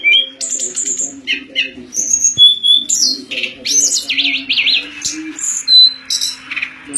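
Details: Pied fantail song as master material for contest birds: varied whistles and chips, a wavering zigzag trill in the middle, over a steady low hum.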